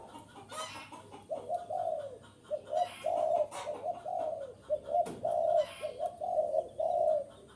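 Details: Spotted dove coos used as a lure for wild doves: rhythmic phrases of short double notes and a longer falling coo, roughly every second, with sharp knocking and rustling noises between.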